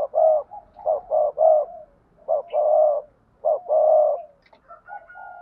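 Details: Spotted dove cooing for bird keepers, in the urging and calling styles: repeated low, breathy coos in groups of two or three, with softer notes between phrases.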